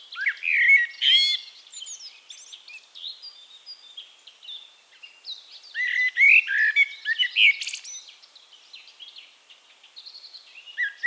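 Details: Eurasian blackbird singing, Castricum, Netherlands: a loud warbled phrase with a high chattering end, a lull of faint distant song, then another rich fluted phrase with twittered trills.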